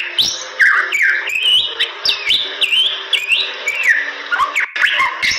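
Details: Bali myna, a medium-sized starling endemic to western Bali's forests, sings a loud, continuous run of varied whistles, swooping slurs and harsh chattering notes with sharp clicks, delivered without pause.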